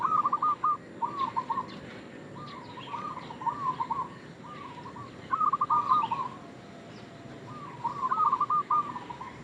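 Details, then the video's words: Local zebra dove lure call, used to bait other doves: repeated clipped, chuckling coo phrases, about six in nine seconds, at an even low pitch. Faint high chirps from other birds sound in the background. "Perkutut lokal gacor suara pancingan"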